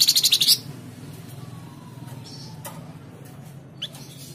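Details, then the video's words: Tledekan jati song of a Flamboyan bird, used as a lure to set caged birds singing: a half-second string of fast, high, buzzing pulses at the start, followed by scattered faint chirps and a low background hum. "Pancingan Burung Flamboyan | Tledekan Jati"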